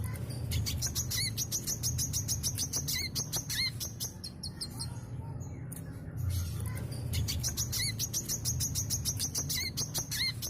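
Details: A sooty-headed bulbul sings energetically in the 'gacor mbeset' style used as a lure for other birds. Fast strings of thin, high chirps are mixed with brief curling lower notes. A quiet gap falls near the middle. Constant low background rumble.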